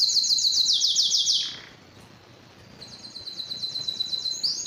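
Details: Canary song: a bright, fast trill of repeated sharp notes, a quiet gap of about a second, then another rapid high trill resuming softly and building.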